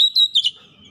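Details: Kacer lure song fragment: a short high whistle followed by two quick warbled notes within half a second, then quiet.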